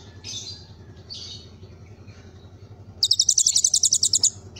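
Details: Kolibri ninja with cililin filler: after faint soft high notes, a loud rapid trill of evenly repeated high notes lasts over a second, over steady low hum.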